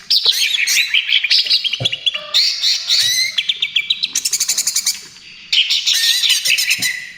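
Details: Greater green leafbird singing vigorously in trotol style, used as a lure and therapy for other birds: a dense, varied high stream of whistled slurs and chattering notes, with a fast run of sharp repeated chips midway, broken by abrupt cuts.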